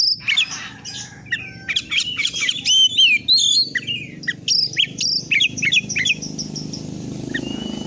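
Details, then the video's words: Oriental magpie-robin singing in 'fighter' style: fast, varied whistled and chattering notes in quick bursts, with a low rumbling background noise that rises toward the end. "BURUNG KACER GACOR FIGTER"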